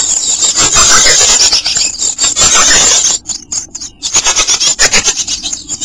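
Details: Chickadee nestlings in a nest box in Myrtle Beach, SC, 15 days old and nearly ready to fledge, give a dense, harsh, hissing rasp of high buzzy calls that briefly breaks off near the middle before resuming in quick bursts.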